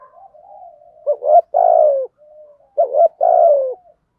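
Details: Spotted dove decoy cooing, used to provoke wild males into calling; male and female doves are included. Low, mellow hollow coos with short grunting notes before two strong descending coo phrases, in a quiet setting.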